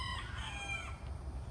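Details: Polish rooster crowing: a brief, hoarse, harmonic-rich crow with a falling tail, over steady low rumbling background noise.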